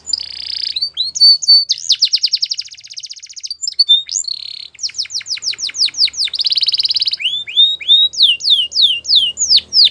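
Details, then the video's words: A Belgian canary, a training song, sings a fast, varied song of high buzzy trills, rapid repeated chirps and swooping whistled notes, with no pauses. "Canary Training Song | Belgian Canary"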